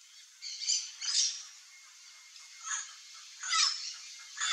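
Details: In Central Brazilian riparian forest, a chestnut-eared aracari pair seeking wild fruit gives a few separate shrill, squeaky notes, some sliding down in pitch, spaced by brief quiet gaps.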